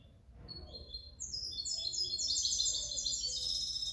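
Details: Goldfinch hybrid singing, recorded 2019–2020: after a quiet start, a rapid high twittering of tinkling, chattering notes runs continuously from about one second to the end.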